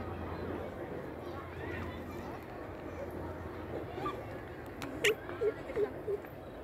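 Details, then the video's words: Greater coucal (about 48 cm) giving its call note, four deep, hollow hoots in a quick, even series near the end, over a steady low hum; a call that carries far through jungle or gardens. "The Call note of Greater Coucal"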